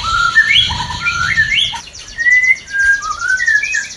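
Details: Murai batu mating song to boost breeding urge in a new, non-producing pair; crisp fluty whistles and sliding notes, a rapid rattling trill mid-way, then more clear whistled phrases.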